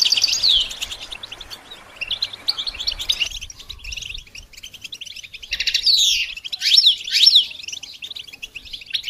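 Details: Goldfinch song for training songbirds: bursts of high twittering with sharp descending chirps, a quieter stretch, then more emphatic bright slurred notes near the end.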